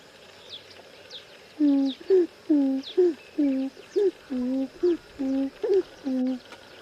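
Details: Grey crowned crane calling in the wild: a steady run of about ten low, nasal honks, roughly two per second, some with an upward bend, over faint high chirps of smaller birds.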